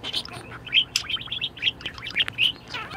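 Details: Budgerigar kept as a pet, in an excellent mood, giving a quick run of sharp high chirps and little whistled slurs, spaced a fraction of a second apart.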